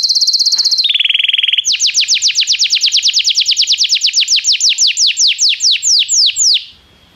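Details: Belgian canary singing in a training recording meant to stimulate canaries to sing: a high trill opens, drops to a steady lower trill, then a long run of fast downward-sweeping whistled notes that slow toward the end.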